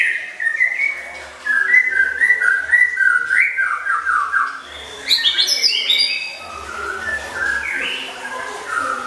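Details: White-rumped shama (murai batu) performing a varied fill-in song used as tutoring material for competition birds: sweet whistled phrases in rising and falling runs, with a bright high flourish midway and a faint low hum beneath.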